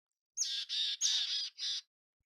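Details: A mountain chickadee gives a high, sharp introductory note leading into four loud, hoarse, buzzy notes over about one and a half seconds.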